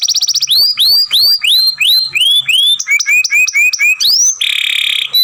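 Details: Masteran song from a young canary with long grumbling sounds: about eight clear rising upslurred whistles in a row, a run of shorter lower notes, then a dense buzzy roll at the end.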